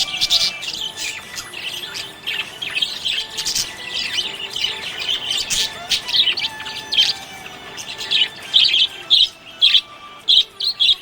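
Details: Happy budgerigar chirping: dense busy twittering and warbling with squeaky notes, ending in a run of short sharp chirps repeated about twice a second, several birds overlapping.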